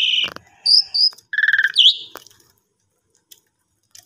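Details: Caged Asian pied starling, jalak suren, lure recording to get it singing again after the owner's trip: a quick mix of harsh notes, short high whistles and a buzzy pulsed phrase, then near silence with faint clicks.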